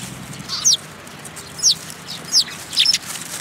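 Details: Flock of Eurasian tree sparrows arriving for food at a Tenmangū shrine, 10 February 2022. Four separate bright, high chirps, each a quick downward-slurred note, spaced roughly every second against faint background noise.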